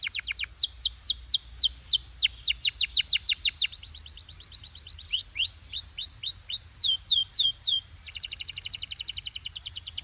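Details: Canary, pure Belgian singing, in full song: rapid series of descending whistled sweeps repeated several times per second, shifting between phrases and ending in a dense buzzy rattling trill.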